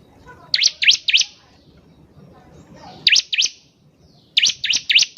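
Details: Energetic bar-winged prinia song used to make other birds sing: short groups of three or four loud, high, rising-and-falling chirps, coming roughly every one and a half seconds.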